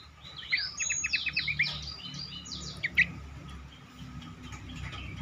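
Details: Cingcoang singing, played as a lure to get other cingcoang singing: a fast burst of sharp, dry chattering notes, then a lone bright note and quieter scattered chirps over low background hum.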